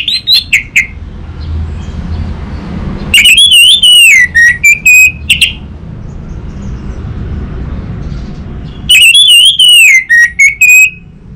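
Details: Orange-headed thrush singing in Singaraja, North Bali, a lure recording for a young bird: opening chirps, then two long phrases of slurred, falling whistles and clipped notes, separated by several seconds of quiet hum.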